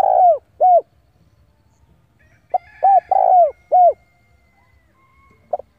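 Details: Spotted dove decoy cooing to provoke rivals into fighting; soft mellow coos in phrases of a clipped note, a long coo and falling coos, with a faint high thin tone in the background.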